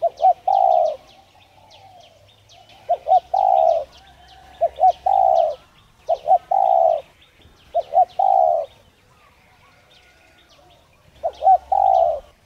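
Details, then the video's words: Repeated cooing from a spotted dove, played to prompt other doves to coo. Six phrases, each two brief notes leading into a longer soft coo, with a gap before the last. Light bird twitters above. "Chim cu gáy Thúc kích bổi nhanh gáy/kích bổi nhanh nổi hiệu quả"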